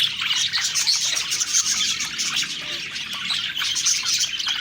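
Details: Several contented budgies feeding and singing, producing a constant high twittering chorus with occasional sharp whistled chirps poking above the chatter.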